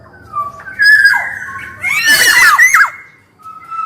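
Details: Black-naped oriole, kepodang, male and female, calling actively for use as a lure recording: a brief fluted whistle leads into a loud, harsh, tearing squawk with bending overtones, then fades to a soft low whistle.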